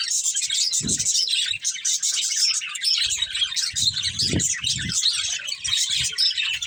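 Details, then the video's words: Budgerigar breeding pair with their family: steady, dense, scratchy high chirping and warbling chatter fills the whole stretch, with a few soft low thumps near the first and fourth seconds. "Cute Budgies Chirping Sounds"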